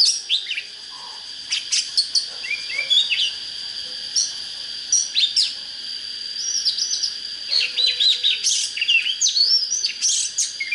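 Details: Oriental magpie-robin singing a rich, varied song of high whistled notes, rising sweeps and quick chirpy bursts in dense clusters, with a steady high-pitched tone running underneath throughout.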